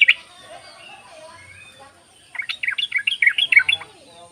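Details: Yellow-vented bulbul call used to draw other bulbuls into song: a faint whistle opening, a pause, then a quick burst of about ten bubbly chirps, with soft background bird notes.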